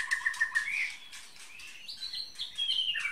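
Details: White-rumped shama of the Bahorok type with a 33 cm tail: quick run of short repeated chirps near the start, then sliding whistled slurs climbing higher and falling away, each note distinct over a quiet background.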